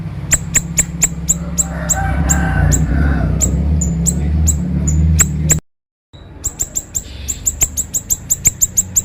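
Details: Siri-siri bird, sharp konslet style, recorded to train other birds: fast, evenly repeated piercing high chirps, about three per second, broken by a brief silent gap before resuming; steady low hum underneath.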